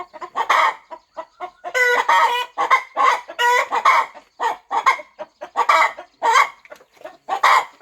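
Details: Mother hen fluffing over her nest on a farm ahead of hatching; continuous harsh clucking with drawn-out nasal notes and short soft clucks between.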